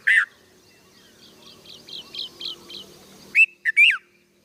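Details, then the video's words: Young red-vented bulbul giving loud slurred chirps, one at the start and a burst of three near the end, with a faint series of soft repeated notes in between. "Baby Red Vented BulBul"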